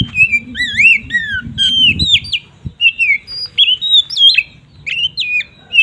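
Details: Oriental magpie-robin ngeplong song, used to provoke other magpie-robins; a string of clear whistled notes, looping slurs and zigzag phrases at a steady pace, with a low background hum.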